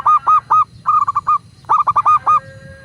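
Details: Zebra dove, local bird, recorded as a master to coax captive doves into singing; three quick phrases of three to five sharp, bouncy coos each, delivered cleanly over a quiet background.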